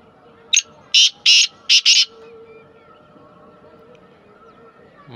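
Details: Black francolin delivering a rhythmic phrase of five harsh, grating notes over about one and a half seconds, the middle ones longest, then a quiet stretch with steady low hum.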